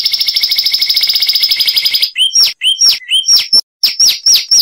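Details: From Cuban lowland scrub, a Zapata wren (Ferminia cerverai) delivers a two-second fast pulsing trill, then a varied series of loud downslurred and looping whistled notes with brief gaps.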